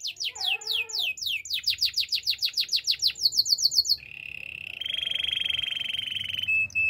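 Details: Spanish Timbrado canary training song. It opens with dense fast descending trills and a short gurgling lower phrase. It ends in a long, even, metallic rolling trill held for over two seconds and a brief final tone.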